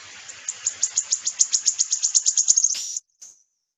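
Wood Warbler song: high, thin ticking notes that quicken steadily into a shivering, spinning trill, ending abruptly after about three seconds.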